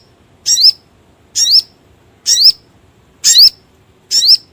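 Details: Lure call of a crimson sunbird used in trapping: a sharp high note sweeping upward, repeated regularly about once a second, five times.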